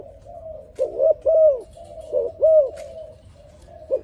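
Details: Soft dove song: a couple of phrases of warm, rising-and-falling coos, a short pause, then a single final coo against low background hum.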